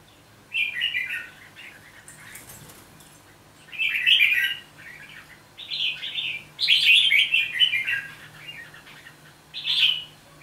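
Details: Newly caught red-whiskered bulbul from Hòa Bình, five days in captivity, singing short bright warbled phrases with quiet gaps of one to two seconds between them. A faint steady low hum runs throughout.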